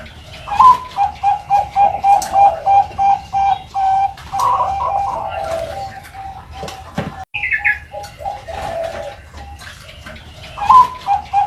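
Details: Bangkok-type young zebra dove, ringed, calling indoors. Rapid series of clipped cooing beats at a steady pitch, about three a second, then a drawn-out wavering coo and a short high chirp. Another burst of quick pulsed notes ends it.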